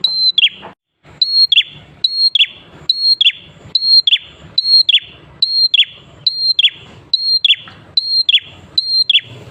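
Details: Prinia, locally prenjak klawu, delivering its persistent song as a lure to make other prinias sing. About eleven crisp repeated phrases of a level whistle dropping into falling chirps, clean and regular, with a brief gap near the start.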